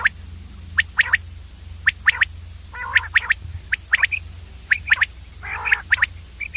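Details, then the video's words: Common quail calling in a busy run of short, sharp, high pips in pairs and triplets, broken by a few harsh raspy bursts, over a low continuous hum. "common Quail sound clear audio long 35 Mon/ Batir ki saaf awaz"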